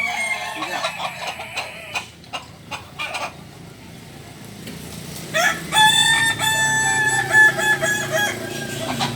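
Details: Sunday practice session in Ampangkualo with Kukuak Balenggek chickens. Scattered clicks and knocks fill the first half. After about five seconds a loud, steady, drawn-out crow holds its pitch with rich overtones, while crowd noise continues in the background.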